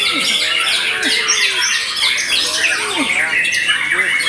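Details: White-rumped shama singing after its moult, a dense run of loud, varied whistles and rapid buzzy trills packed high in pitch, with a few lower, falling slurred notes beneath.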